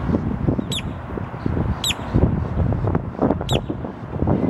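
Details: A Boat-tailed Grackle calling in Savannah, Georgia, on April 21, 2022, gives three short, sharp, upslurred notes spaced a second or more apart, over a steady low rumble of traffic or wind.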